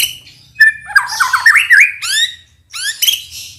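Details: White-rumped shama song played to rouse males: a short whistle, then a loud, varied warbling jumble of squawky and fluty notes, followed by a brief pause and bright rising whistled phrases.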